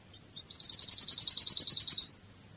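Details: European goldfinch, Cádiz song from Spain. Two thin introductory notes precede a fast, sparkling, evenly pulsed high trill of about one and a half seconds, ending cleanly.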